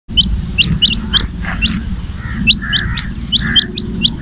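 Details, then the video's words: Small chicken chicks giving short, high peeps in quick irregular runs over a steady loud low hum and background rumble. "murgi ke bache chote chote | Chicken chicks video"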